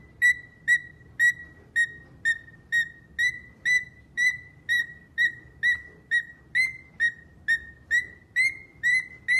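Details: Pet cockatiel singing a long, regular series of clipped whistles, roughly two notes per second, each starting with a click-like attack and holding nearly the same pitch throughout.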